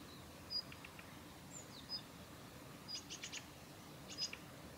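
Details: Calls of a female Daurian redstart, Kita-Fuji training area, Japan, 7 November 2021: scattered thin high whistles and slurred notes, then clusters of dry ticking clicks, quiet natural ambience.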